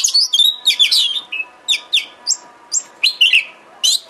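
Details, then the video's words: Oriental magpie-robin (kacer) bait song to make a kacer sing and spread its tail. An opening flurry of piercing whistles gives way to single sharp chirps repeated roughly every third of a second, with faint hum behind. "Pancingan KACER agar GACOR dan EMOSI BUKA EKOR"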